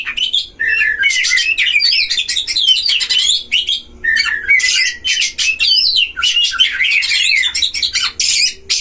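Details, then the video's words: Dueling Oriental magpie-robins at a breeding enclosure, played to provoke other magpie-robins. A long, dense outpouring of fast whistled trills, slurred notes and scratchy chatter, broken by a short pause midway. "DUEL KACER di kandang ternak‼️pancing semua jenis kacer cpt emosi"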